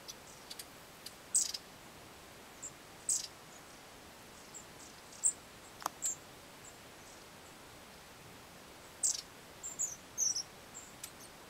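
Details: Long-tailed tits in Hornopožárský forest, Požáry, on 25 January 2009 give thin, very high, short calls in quick little bursts every second or so, over a quiet background with a few faint clicks.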